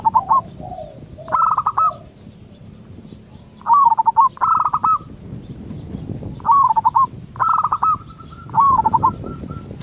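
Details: Song of a local zebra dove used to get other zebra doves to respond: several brief bursts of rapid rolling coos with hooked finishes, spaced irregularly, over low background noise.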